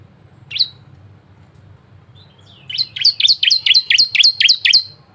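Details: Varied song of a bar-winged prinia, played to prompt other prinias to sing: one sharp note, a pause with a faint thin note, then a rapid steady run of about nine bright down-slurred chirps.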